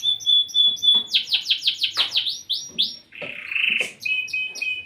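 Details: A long-size canary sings a pure held whistle, then a quick series of sweeping downward notes, a buzzy mid-pitched trill and closing rapid high chips.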